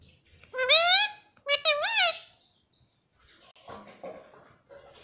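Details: Pet Indian ringneck parrot talking indoors, copying its owners' words such as mummy and papa: two shrill, nasal, speech-like phrases, the second broken into quick wavering syllables, then faint rustling and background noise.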